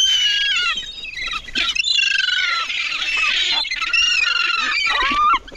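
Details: Many hungry gulls crowding in to compete for food, giving loud, harsh squawking and mewing cries that overlap into a steady, noisy chorus, with a few clearer downslurred calls near the end.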